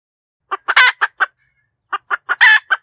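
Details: Hen cackling, presented as a clear decoy sound for trapping: a few sharp clucks, then a long, loud, harsh 'ka-daak' note, a pause, and another run of clucks ending in a second drawn-out squawk.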